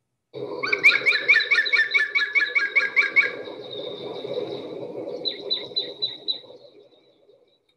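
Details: A European Green Woodpecker, which rarely drums and instead uses this very loud call for territory, gives its laughing yaffle, audible from far off, about a dozen quick ringing notes, then a fainter second series, over a low murmur of room noise.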